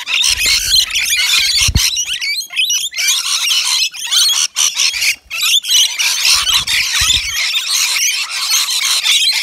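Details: Several rainbow lorikeets feeding on wet nectar mix at a balcony feeder, native Australian birds; a constant high, raspy chatter and screeching over nine seconds, with occasional low knocks.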